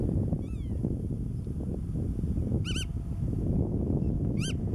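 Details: A Black-tailed Godwit gives three nasal, slightly rising calls about two seconds apart on Marken, Netherlands, in June 2020, over a steady low rumble of wind.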